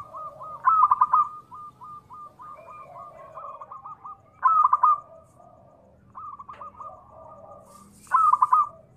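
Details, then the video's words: Local zebra dove (perkutut) in active voice, recorded as a lure to make other doves call: loud stuttering bursts of bright notes about every 3.5 seconds, linked by fainter rolling, rattled cooing trills. "perkutut lokal gacor SUARA TEMBUS 100%pancingan perkutut cepat Nyaut"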